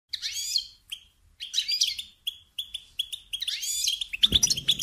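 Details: Goldfinch singing: bursts of bright, tinkling twitters and sweeping rising notes, separated by short pauses, ending with a soft thump.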